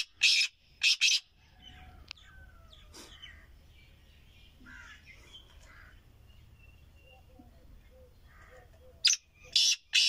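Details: Grey francolin, a captive bird taken outside for the first time this season: loud, harsh, grating call notes in two pairs at the start and end, with soft chirps and faint background noise between.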